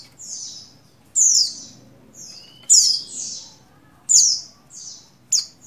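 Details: Female Oriental white-eye in breeding condition calling the male, dated 7/3/21, meant to stimulate buxtoni males: sharp high downslurred notes each followed by a softer echoing note, repeated roughly every one and a half seconds.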